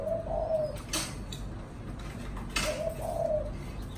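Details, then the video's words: Pet spotted dove in a cage giving "thổ chạm đồng" coos: a brief mellow phrase early on and a paired coo later, with sharp clicks and rustles between them. "Cu thổ chạm đồng"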